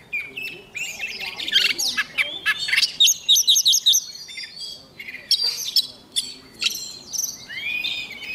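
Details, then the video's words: Oriental magpie-robin singing its morning practice song, meant to get birds fired up: dense, fast run of varied whistles, trills and chirps, mostly high-pitched, in bursts with short gaps and faint background murmur. "Chòe than mồi hót luyện giọng mỗi sáng nhanh lên lửa"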